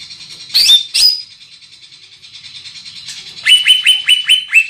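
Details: Large-bodied greater green leafbird, kept as a songbird, giving loud piercing song: two sharp harsh bursts, a pause, then a run of six ringing whistled notes repeated rapidly, each sliding downward.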